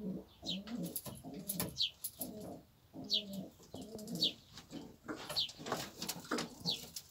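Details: Several fancy pigeons in a fenced coop in Cyprus coo in low, throaty, rolling phrases that overlap steadily, while sharp high chirps from other small birds cut in about once a second.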